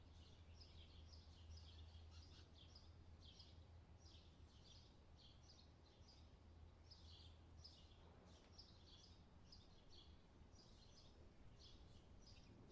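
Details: A European stonechat (Saxicola rubicola) calls with short, scratchy high notes in quick runs of two or three a second, over a steady low rumble of wind or distant noise.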